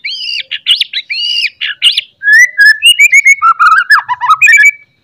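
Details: Morning song of a white-rumped shama, loud and used as a lure to make other shamas sing and fight: arched repeated whistled notes, then chattering runs and warbled falling whistles with a high twittering overlay.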